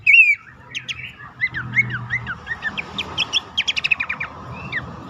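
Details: Lure recording of Abbott's babbler, meant to prompt caged birds to sing. One loud whistle opens, then a run of short looping chirps that quicken into a fast series of sharp notes, over a faint low hum.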